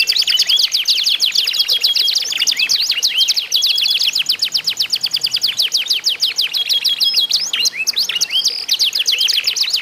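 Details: Canaries competing in song to prompt other canaries to join: an unbroken stream of fast, high, steeply falling notes and trills from overlapping singers, with short whistled phrases.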